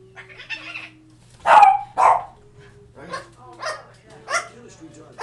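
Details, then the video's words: A baby cockatoo on a manzanita tree gives two loud, harsh, dog-like barks half a second apart, with people chatting and laughing before and after. "Barking Parrot"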